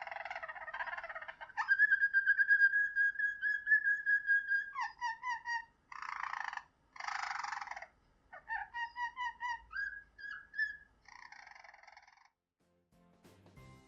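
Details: A Belgian song canary of the 'flute canary' type, whose songs can run several minutes, sings soft, flute-like rolling tours with a long sustained whistle and rapid trills.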